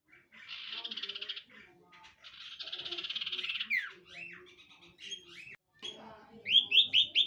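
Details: Cipoh, the common iora, gives two rasping buzzy trills, then varied slurred whistles and chirps, ending with four loud rising whistled notes in quick succession.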